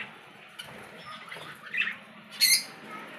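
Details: Budgerigar chicks being hand-fed give harsh, raspy begging squawks in short bursts, loudest near the end, over a faint background hiss.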